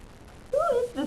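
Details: Harry, a male pet yellow-naped amazon that talks, sings his name and makes odd noises, gives a brief voice-like phrase while owners coax him indoors: a clear, wavering tone sliding downward, then a lower, husky syllable, in a quiet room.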